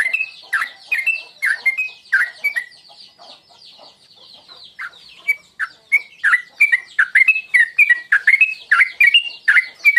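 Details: Sooty-headed bulbul lure call, in the tuklik tuklik ngingklong style, used to provoke singing: bubbly, slurred notes repeated rapidly in runs, with a brief quieter stretch in the middle and busy chatter behind.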